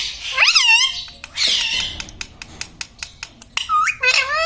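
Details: Indoor pet parrot said to speak the words mummy, papa and radhe radhe; a strident swooping phrase, a harsh noisy squawk, a run of sharp clicks, then more rising and falling squeaky syllables.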